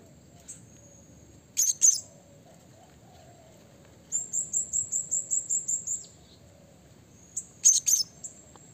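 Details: Blue-crowned hanging parrot calling to provoke rivals: a sharp high double squeak, then a quick series of about ten thin, very high chips, ending with another double squeak.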